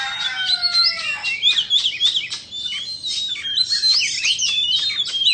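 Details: Indo-type white-rumped shama singing as it dances, opening with long clear descending whistles, then a busy stream of rising and falling whistled notes and scratchy chips, continuous and rich.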